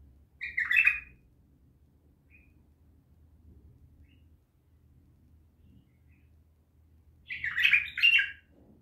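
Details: Bulbul uttering two loud chattering, warbled bursts about seven seconds apart, with quiet pauses and a faint low rumble between them.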